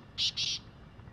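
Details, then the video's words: A wild black francolin calls: two harsh, grating, hissy notes close together, the second longer, over a quiet background with a low hum. "Black Partridge Sound | Desi Azad Kala Teetar | Jungli Kalay Teetar ki Awaz |Francolin Voice"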